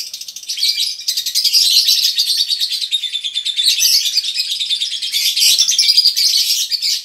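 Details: Colony of female and male lovebirds singing konslet ngekek, a long nonstop chattering song used to spur other birds into singing; fast high twittering and scratchy trills run without pause, with slight rises and falls in loudness.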